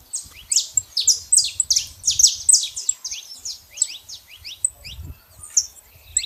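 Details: Saffron finch singing out in nature: a rapid run of sharp, high, downslurred chips that grow sparser and softer toward the end, with faint low rumble beneath.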